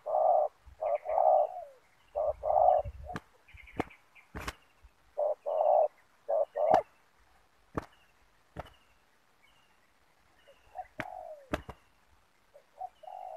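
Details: Spotted dove used as a decoy in ground trapping with a snare net to lure wild doves: low, mellow cooing phrases in short bursts of two to three notes, repeated about once a second, with sharp clicking knocks in between and a quieter stretch near the end.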